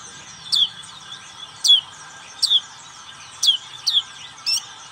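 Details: Black-capped white-eye in ngriwik song: six thin, high chirps, each sliding sharply downward, several paired closely, repeated roughly every second against a faint steady hum.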